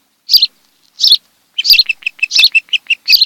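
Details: Nest-camera recording of an osprey pair on Kent Island, Maryland, July 26, 2018, in the afternoon. A few separated piercing chirps build into a quicker string of shorter, lower whistled peeps.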